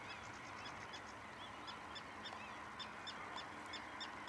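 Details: Pied avocet in the Waterland-Oost nature area at Durgerdam, Holland, recorded 6 May 2011: short, sharp, high calls repeated in quick, slightly uneven series, several overlapping, over a steady hiss of background noise.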